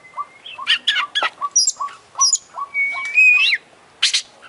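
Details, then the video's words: Oriental magpie-robin, beak open and tail spread, singing a busy 'gacor' medley of harsh chirps, high sharp notes and a long rising whistle, with repeated soft low notes in the background. "Kacer Buka PARUH Buka EKOR Suara GACOR Full isian"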